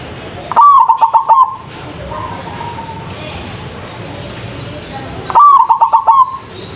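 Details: Zebra dove singing loudly, played as a lure so birds answer: two rapid, rhythmic cooing phrases about five seconds apart, each under a second long, with faint distant bird notes and low hiss between.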